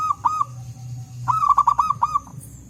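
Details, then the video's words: Wild local zebra doves answering each other in forest: three short ringing coo notes, a pause, then a quick run of about seven hooked notes, over a steady low rumble. "Suara Burung Perkutut Lokal Gacor"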